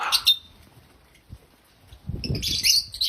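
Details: Loud African lovebird chirping, said to be happy: a brief shrill squawk, a near-silent pause, then a renewed burst of high rapid chatter over low rustling or wing noise.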